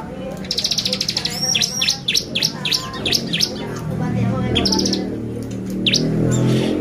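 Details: Bar-winged prinia singing as an excitement lure: a fast buzzy trill leading into a run of high downslurred notes, later sparse chips as a low background hum grows.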